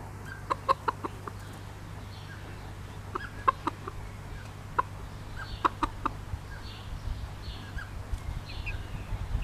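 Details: Bobtail-coloured Pekin bantam broody hen with chicks clucks in loose clusters of two to four short notes, with soft high chick cheeping drifting in toward the end.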